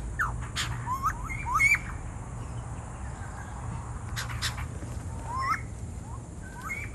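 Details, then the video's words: White-crested laughingthrushes noisily give scattered, quick rising and falling chirps and squawks, with a few sharp clicks, over a steady low rumble and a thin high hiss. "White-crested Laughingthrush - The noisy one"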